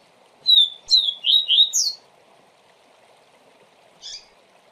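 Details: Double-collared seedeater (coleiro) tutor song in the 'Tui Tui Zel Zel' style, used to teach young birds: a quick run of five clear whistled notes, slurred down and up, then a lone short chirp over a low steady hum.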